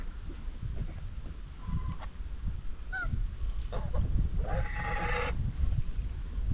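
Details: White Chinese geese on a homestead farm, grazing and chatting among themselves; after a few soft squeaky notes, one drawn-out nasal honk lasting nearly a second stands out above constant low-pitched farmyard rumble.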